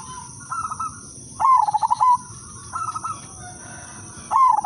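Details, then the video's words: Udanmas silver zebra dove giving its melodious lure song to draw others into singing: two loud rapid trilled coo phrases alternate with softer, higher stuttered coos from neighbouring doves, over a steady high-pitched background hum. "perkutut/merbok udanmas silver irama merdu spesialis pancingan bikin semua perkutut ikut manggung"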